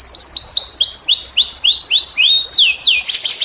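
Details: A canary sings tutor song for other canaries: about nine clear rising-then-falling whistled phrases spaced evenly, ending in a brighter buzzy sweep.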